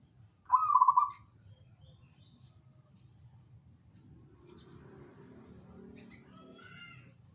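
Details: A single short zebra dove coo phrase with a rapid, bubbly trill near the start, followed by quiet faint chirps and low rumbling noise.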